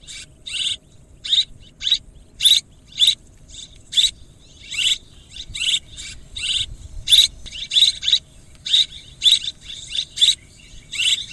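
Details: High, rasping swiftlet chirps delivered as short separate bursts roughly every half second, several carrying a thin sharp metallic note, over a quiet background.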